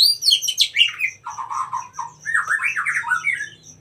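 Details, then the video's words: Wild oriental magpie-robin song used as master tutoring material: rich warbled phrases, first high and sliding, then lower buzzy notes near the middle, with a steady ticking high note repeating in the background. "KACER MACET TOTAL dan SETRES pasti akan PULIH dan NYAUT dengan dimasteri KACER ALAM ini"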